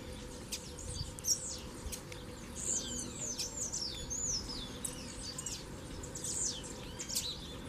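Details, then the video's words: Double-collared seedeaters, a caged pair out in the bush, in a fibre-pulling song session while a captive male duels a strong wild black male. High whistled slurred notes come in scattered bursts over low rumbling background noise. "Casal de Coleiro na Puxada de Fibra no Mato"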